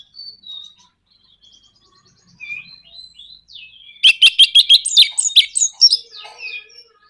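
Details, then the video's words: Orange-headed thrush, used to stir other birds into singing: quiet thin whistles build into loud rapid clicking notes and tumbling slurred, warbled phrases that fade into soft whistles. "PANCINGAN NRAKTAK KONSLET ANIS MERAH BIKIN GACOR ATASI SUSAH BUNYI"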